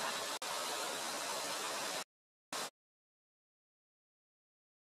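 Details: A steady broadband hiss like rushing water lasts two seconds, then cuts to silence broken by one short burst of the same noise.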